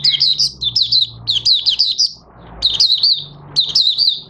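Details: Caged oriental white-eye, recorded 25 August 2022 as it begins singing after three months of open-cover and night sleep training: loud, fast strings of high, wavering, down-slurred twitters in phrases of three or four notes, with a low hum.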